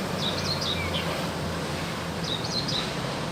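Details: Two brief, wavy high whistled phrases from a wild crested myna in active song, separated by a short pause, with a steady low hum behind.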